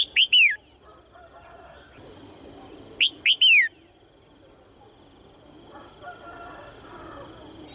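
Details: Female red-whiskered bulbul encouraging males to sing, repeating her phrase twice about three seconds apart: two short rising notes and a longer down-slurred whistle each time. Faint rhythmic high chirps from other birds continue between.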